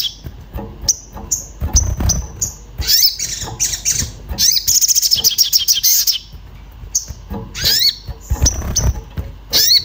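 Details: Orange-bellied flowerpecker calling emotionally for a companion, played as a lure to trigger song: dense, high-pitched chirps and brief rapid trills, irregularly spaced, over low knocking and handling noise.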